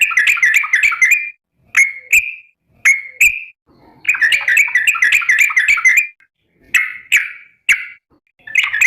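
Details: Yellow-vented bulbul (trucukan), a lively calling bird calling to its companions: bursts of rapid, bubbly chattering notes alternate with short, bright whistled phrases, separated by brief silences.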